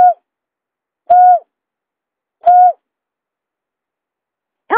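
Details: Buttonquail lure call: a few clear, flat hoots spaced over a second apart, followed at the end by a short, harsher note with several tones.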